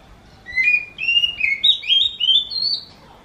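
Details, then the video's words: Oriental magpie-robin song compared to a kitten's meow: a flowing chain of slurred whistled notes, each bending up or down, climbing gradually in pitch over about two seconds. "Viral burung kacer ini suaranya mirip seperti anak kucing"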